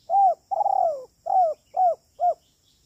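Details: Trapping-lure recording of a spotted dove in 'kuk 3' style: one short arched coo, a long rolling coo that drops in pitch, then three clipped coos in steady rhythm, clean and close.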